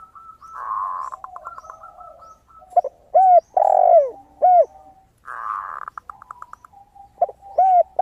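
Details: Zebra dove in full song, with a crystal-clear voice, used as a lure recording. It gives rapid, bright staccato notes in short bursts, alternating with deeper, arched spotted dove coos.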